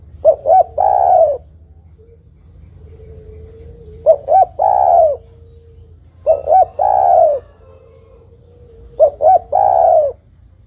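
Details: Female spotted dove calling for a male, giving four phrases roughly every three seconds. Each is two brief hooked coos and a long, slightly falling coo, with soft low tones between phrases.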